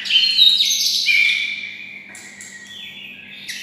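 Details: Bulbul-like song of a kept white-rumped shama housed near red-whiskered bulbuls: a loud, rapid, twittering opening that slides into long level whistles and then softer trailing notes.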